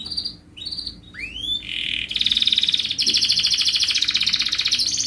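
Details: Canary in strong singing form used to lure others: a few high notes and a rising slur, then a long, dense, rapidly pulsing high trill.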